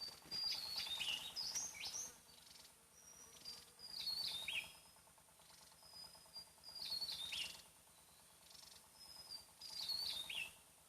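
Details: Javan tesia (Tesia superciliaris), a small bird found only on Java, sings in the wild, somewhat distant yet loud: high, rapid, jumbled warbling bursts with sharp twittering notes, about a second long every three seconds, over faint hum.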